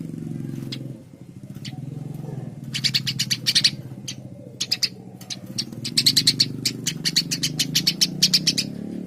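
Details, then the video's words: Eurasian tree sparrow giving fast runs of bright, clipped chirps that grow busier toward the end, with a steady low rumble of background noise throughout. "Burung gereja gacor"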